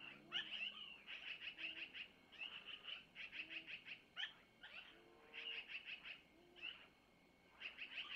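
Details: Young long-eared owls begging at a camera-watched nest near Missoula while the mother passes them food from the male, early morning about 5:05; bursts of shrill, scratchy squeaks with brief gaps and faint lower whines.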